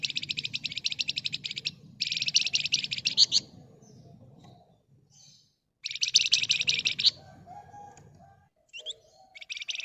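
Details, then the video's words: Flamboyan bird singing an intense, tight 'ngebren' rattle meant to coax other birds into singing: three bursts of fast, harsh, high-pitched pulses, each one to two seconds long, with short chips between them and a faint low hum. "Burung Flamboyan Gacor Emosi Ngebren Rapat Nyerecet Cocok buat Pancingan agar cepat Nyaut"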